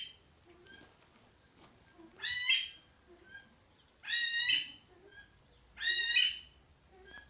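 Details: Himalayan monal (Lophophorus impejanus), male with two females at a pheasant farm, giving three loud, harsh, rising wailing calls about two seconds apart, with faint small-bird chirps between.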